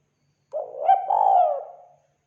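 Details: Lure call of a spotted dove: a single continuous phrase of low, throaty coos lasting about one and a half seconds, rising then sliding down, with a faint higher overtone.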